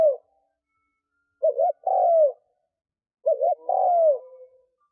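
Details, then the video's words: Caged decoy spotted dove cooing to entice wild doves. Two full phrases, each a clipped two-part note and then a sustained, gently falling coo trailing off softly. Quiet surroundings. "Tiếng cu mồi thúc gù gáy kích bổi cực nhạy / Tiếng chim cu gáy kích bổi nhanh nổi mới"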